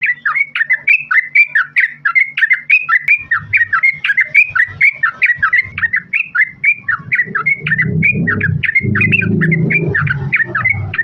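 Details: Trucukan, a female calling the male, gives a long fast chattering run of bubbly notes, about four a second without pause, with a low rumbling background growing louder toward the end.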